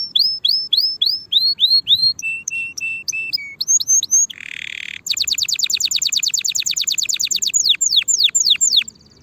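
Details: Canary song for teaching young birds to sing before the coming season: repeated arched whistles, a series of flat low piping notes, a brief buzzy roll, then a long very fast trill of sweeping notes slowing into a few falling whistles.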